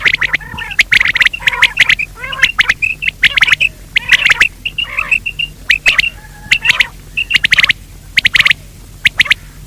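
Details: Quail calls played to lure quail during the day: loud, sharp, repeated chirping notes come in quick irregular bursts, mixed with clicking sounds, over a steady low hum.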